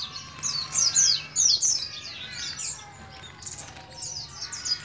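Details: Oriental white-eye from Moga, Pemalang, Central Java, a young kept bird starting to learn ngalas ngeroll singing. It gives quick high chirps and slurred downward notes in short bursts, then a quieter, softer stretch of twittering.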